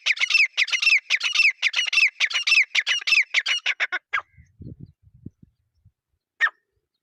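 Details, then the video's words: Two partridges in a fight give a rapid, steady series of loud, harsh, grating notes for about four seconds. Then they fall silent apart from low thumps and one last sharp note. "Teetar Fight 2026 | Zabardast Teetar Ladai"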